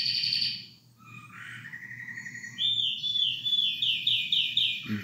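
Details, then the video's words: A male canary sings a varied, high song: a short warble, then a steady whistle and fast rolling trills of about four notes a second, over a low hum. "Canary Bird Full Mode On world best Singing"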